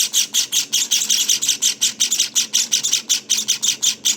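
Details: Fluffy Java finch nestlings on day 19 call in crisp, buzzy high chirps, strongly rhythmic, about two to three each second with clean pauses between.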